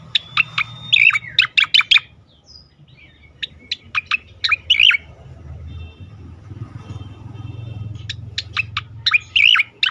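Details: Cica koreng singing a sweet song used as a lure and sound therapy for training other songbirds; bursts of sharp, rapid high chirps and short warbled notes, repeated in phrases with brief pauses between.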